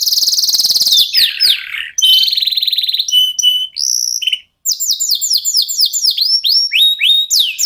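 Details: Local canary singing nonstop, used as a lure to get other songbirds singing. It opens with a dense buzzy trill, then steady whistled notes and a brief gap, and ends with rapid repeated downslurred chirps.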